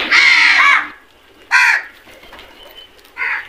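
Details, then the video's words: Flock of crows descending on food; a long hoarse caw, then two shorter harsh caws, separated by quieter gaps. "Flock of crows attack on food beautiful video | Beautiful crows sounds"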